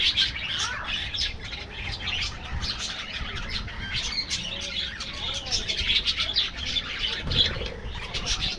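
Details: An aviary colony of budgerigars keeps up continuous high twittering, short squawks and chirps overlapping throughout.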